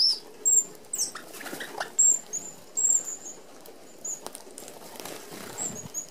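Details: Red-browed finches, native to Australia, crowd an open aviary feeder as a feeding flock. Short high squeaks come in quick bursts, with a cluster in the first three seconds and sparser notes later, over fluttering wings and background rustle.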